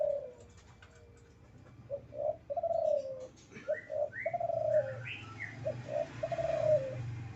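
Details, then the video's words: Male spotted dove in breeding condition giving low, mellow coos in short two- and three-part phrases, each ending in a longer drawn note, with faint higher chirps from other birds and a low background hum. "Suara Burung Derkuku jantan birahi"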